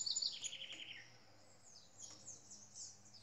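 A green-winged saltator gives a quick run of clear notes slurring downward, then softer, higher twittering follows against faint background hiss.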